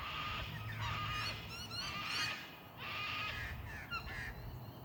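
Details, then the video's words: Two Australian cockatoos screeching at dusk among old gum trees in Linear Park, Adelaide, Australia: harsh, raucous screeches in overlapping bursts about once a second over a low background rumble. "Australian Cockatoos at dusk"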